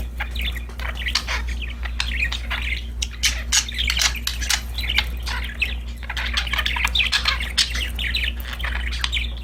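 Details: Happy pet budgerigars at play, dense nonstop chattering warble of scratchy chirps and squeaks from several birds, over a steady low hum.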